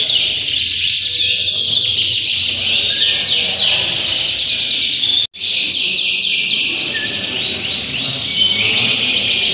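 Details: Canary singing contest held at Auditorium Linggarjati in Kuningan on 11 June 2023, a Sunday. A continuous wall of shrill, rapid trills and rolling chatter comes from many birds at once, broken by one brief cut.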